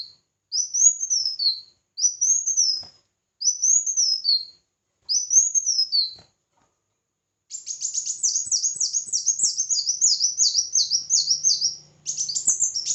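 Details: Red-whiskered bulbul in a singing contest, four evenly spaced arched whistled phrases, then a long fast run of buzzy looping notes with a faint low hum near the end.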